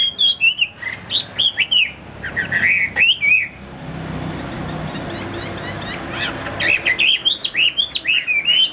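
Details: Chinese hwamei, a captive bird offered for sale, sings quick whistled phrases, falls nearly silent for about three seconds amid background noise, then resumes with a rising series of bright, curling notes.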